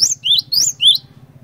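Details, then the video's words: Song of a cinereous tit, used as a lure so others of its kind start singing: two quick couplets of bright whistles alternating between a higher and a lower pitch, then fading to a low background hum. "PANCINGAN BURUNG GLATIK BATU GACOR INI ASLI BIKIN GLATIK BATU LAIN LANGSUNG IKUT BUNYI"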